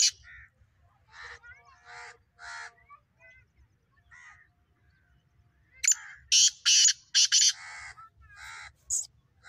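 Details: Black francolin voice: a stuttering series of rasping, buzzy notes, softer at first, then a louder, harsher run of grating calls with brief gaps between them; low background rumble.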